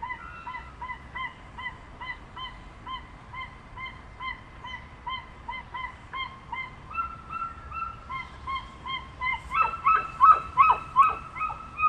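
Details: Crested guan (Penelope purpurascens) in a long, steady run of quick nasal honking notes. Near the end the calls grow louder and more overlapping, as if a second bird joins.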